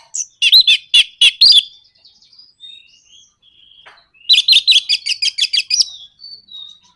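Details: 'Nraktak konslet' style bait song of an Orange-headed thrush, used to make other birds sing: loud rapid stuttering notes, a quiet pause with soft whistles, then a fast even rattle of repeated high notes.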